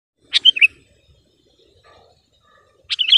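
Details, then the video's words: A Sooty-headed bulbul gives two short, bright, bubbly phrases of quick chirping notes about two and a half seconds apart, with near silence between. "SUARA BURUNG KUTILANG GACOR TAJAM DAN JERNIH"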